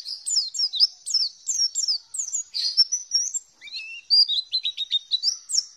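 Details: Song of an Oriental white-eye, played as a lure to get silent lovebirds singing: a fast, high-pitched warbling chatter of sliding chirps, with a brief lower whistled slur midway.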